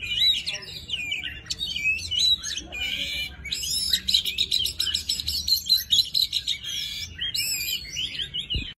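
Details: An Oriental magpie-robin sings a rich, varied wild-type forest song of high whistles, slurred notes and rapid chattering trills, phrases following one another with barely a pause; used to train young birds' song.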